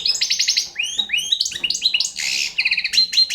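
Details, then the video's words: Fast, tinkling phrases from a young Balkan goldfinch: rapid ticking notes at the start, then upward-slurred whistles and a raspy buzz, closing with quick repeated chirps. "Pesma štiglića- mladi balkanac 2"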